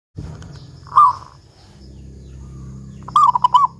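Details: Local zebra dove in lively form with a big 'kung' voice, a recording used as a lure to prompt other doves to sing: a short cooing burst, a pause with low rumble, then a fuller phrase of a drawn coo and quick pulsed notes.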